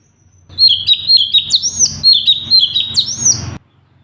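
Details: Sooty-headed bulbul song intended as a tutor recording for cage birds: loud, rapid whistled phrases of falling chirps and upward-swept high notes, strung together for about three seconds, then stopping abruptly.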